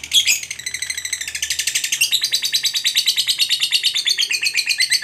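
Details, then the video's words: Fighter lovebird in full ngekek, a long chattering trill meant to stir up a rival bird, with fast harsh repeated notes that shift in pitch and run unbroken through the whole stretch. "Pancingan Suara Burung Lovebird Fighter Ngekek Pancing EMOSI LAWAN"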